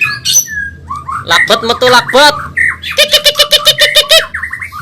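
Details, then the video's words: Fast-singing caged Medan white-rumped shama used to train other birds: trilled rattling notes, a buzzy descending series, then a rapid run of evenly repeated ringing notes, with a low hum in the background. "Masteran burung murai Medan super cepat gacor"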